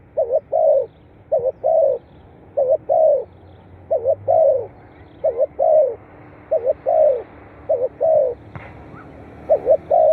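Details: Spotted dove calling, recorded for playback to stimulate captive birds into calling; low, mellow phrases, each a quick doubled note followed by a longer falling coo, repeated steadily about every second, with a brief faint chirp near the end.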